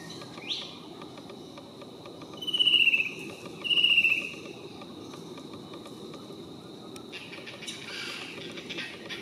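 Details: Fan-tailed Cuckoo calling from a treetop on the North Coast of New South Wales, Australia: two short, trilled notes that slide slightly downward about a second apart, over a steady high insect hum and soft hiss.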